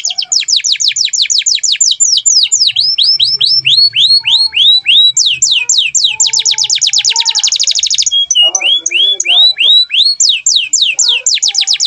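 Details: Canary singing nonstop as a master song for training other birds: long rolling tours of quick falling notes at changing speeds, slower curved whistles, and brief chattering sounds midway.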